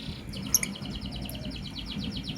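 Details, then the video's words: Lovebirds, a blue opaline and a green personata, chirping in the morning: a fast, even run of short high chirps, roughly ten a second, over a steady low hum. "Lovebird Chirping Sounds in Love"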